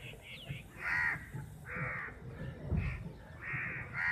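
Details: Crows fighting over a piece of chapati, a flock of about fifty birds; harsh nasal caws overlap and recur every second or so, with several birds calling against a low rumbling background.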